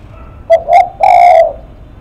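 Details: One close, clear spotted dove phrase: a short note, a slightly longer one, then a half-second rich, even coo, sung in the lắc mặt style.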